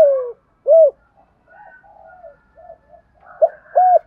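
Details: Spotted dove calling and cooing in the Thổ voice to draw wild birds: a falling opening note and a loud arched hoot, soft murmured coos, then two more strong hoots.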